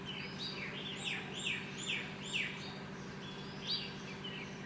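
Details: Himalayan wagtail (Motacilla alba alboides) recorded in Kaziranga, India, in 2010: short, sharp, high chirps given in irregular bursts, several within the first two and a half seconds and one more later, over a steady low hum.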